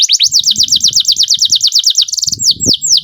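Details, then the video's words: Captive canary giving a fast rolling trill of rising whistled notes, repeated several times a second, shifting into a short buzzy burst and a few slower slurred notes, with low background knocks. "BURUNG KENARI GACOR NGEROL PANJANG JITU"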